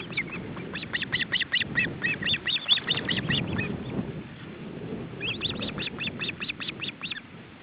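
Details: Male osprey with chicks at the nest, feeding attempt, July 2012: rapid runs of sharp, high whistled notes repeated over and over, a long burst, a pause, then another steady series, with a low rumbling background.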